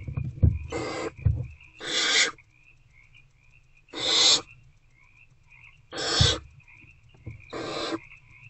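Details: Owlets in a nest box beg hungrily at 8:13 pm on 26 February 2024 as they struggle with a rodent. Five rasping, airy hisses come in steady succession, mixed with low thumps and scuffles, against a faint continuous high tone.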